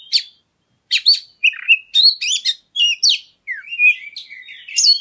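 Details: Oriental magpie-robin song for provoking other birds into singing: scattered chirps, then a nearly continuous chatter of varied whistles, trills and down-slurred notes, ending in a softer warbling run.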